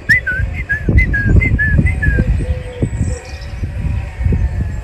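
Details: Coal tit (Periparus ater) singing loudly from a pine branch overhead in Mill Road Cemetery, Cambridge, early on a February morning: a quick two-note whistle, high then lower, about six times in two seconds, with people talking underneath.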